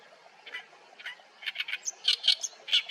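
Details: Oriental reed warbler singing in a reed bed at Haenam, Korea: harsh, grating chattering notes, sparse at first, then denser loud rasping bursts and a short whistled note near the end.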